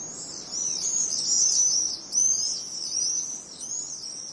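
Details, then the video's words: Gang of Common Swifts in Britain dashing through the sky in spring, giving shrill, high-pitched screeching trills that overlap and swell in loose bursts, with nothing else heard. "These screeching gangs of tear away swifts dashing through the skies are a sure sign that spring is well underway."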